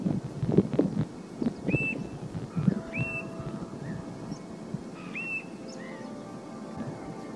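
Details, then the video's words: Two European Golden Plovers call to each other on the lezíria at Ponta da Erva, Portugal, on 9 November 2019, giving plaintive single whistled notes that rise then level off, a second or two apart, over low wind rumble and a few knocks. "Tarambola-dourada - chamamentos"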